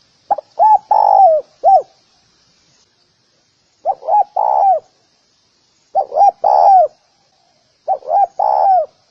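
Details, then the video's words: Spotted dove giving its decoy cooing used to lure other doves: four phrases roughly every two seconds, each a few short low coos running into a longer rolling coo, against a quiet, clean background. "Tiếng cu gáy gù kích bổi nhanh nổi"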